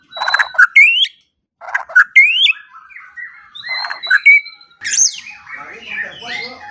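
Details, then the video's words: White-rumped shama masteran for training songbirds, morning and evening: loud harsh bursts alternating with rising whistled slurs, separated by short pauses, ending in a scratchy descending jumble. "Pancingan dan Masteran Pagi dan Sore Hari Murai Pendiam Langsung Ikut Bongkar Isian | shama bird"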